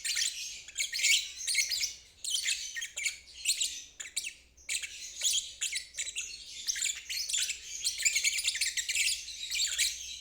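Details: Ngeriwik trill of a lovebird, offered as therapy for stalled birds and young birds still learning the sound; continuous shrill, buzzy chattering in long rapid bursts with brief gaps, high-pitched throughout, nothing else clearly audible.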